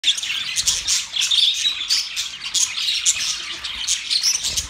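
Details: Budgerigars (budgies) during mating, their song a continuous busy chatter of high chirps, trills and brief whistled notes, dense and unbroken throughout.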